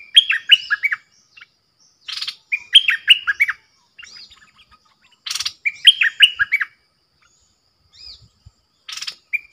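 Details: Bulbul decoy singing toward wild birds, pouring out repeated bubbly phrases of four to five liquid whistled notes in quick succession, interspersed with short scratchy bursts and faint clicks.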